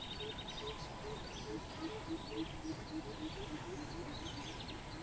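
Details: Greater coucal recorded 13 June 2020 giving a long series of deep, hollow hoots, about three or four a second, stepping slightly in pitch, with faint chirps from other birds and a steady background hum.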